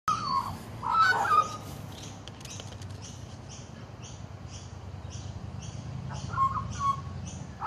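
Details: Male magpie, a regular visitor sitting on a back deck for long periods, singing quietly to himself; soft mid-pitched warbled phrases at the start and again near the end, with gentle rhythmic ticking and low hum between.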